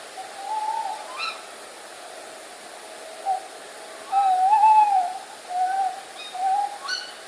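Two tawny owls call: long, wavering mid-pitched hoots with a quavering tail, and a few short, sharp notes cutting in between. Faint steady hiss behind.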